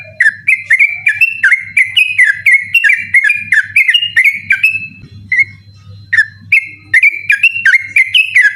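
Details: Yellow-vented bulbul delivering persistent 'ropel' song after dark, used to train birds for night contests: long fast string of bright whistled notes, a short break near the middle, then another burst; a low hum throughout.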